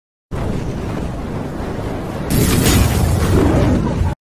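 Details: Broad rushing noise that grows suddenly louder halfway through and holds until it cuts off, with no animal call.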